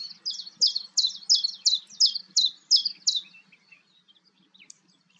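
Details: Common chiffchaff calling at Goldcliff, Newport Wetlands, on 11 April 2022: a steady run of about eight sharp, high notes alternating slightly in pitch, roughly three per second, then a few faint soft chips in near silence.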